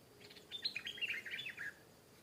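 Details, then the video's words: Stripe-throated bulbul, a wild bird answering and fighting a caged bird; a faint, quick run of warbled, chattering notes lasting about a second, over a quiet hiss. "เสียงนกดอกแตงEp.423 ก่อนหน้านี้มีนกเขาทำหลุด นกป่ามาถึงตัวร้องโต้ลงตีอย่างดุ(Stripe-throated Bulbul)"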